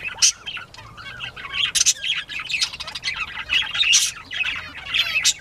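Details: Northern bobwhite quail at play, 19 April 2017, 10:13 AM: a busy jumble of squeaky chirps, thin rising whistles and harsh squawks from several birds, with quick bursts of scratchy noise.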